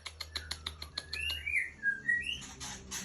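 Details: Female White-rumped shama of the Aceh type from Ujong Pancu, Aceh: a run of dry, rapid ticking clicks, then several short, sweet whistled notes that slur up and down, with a low steady hum underneath.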